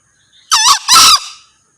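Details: Male green junglefowl crowing: a short, loud, harsh two-part call, a hoarse rising first note followed by a slightly longer, strained second note, the whole crow lasting about a second.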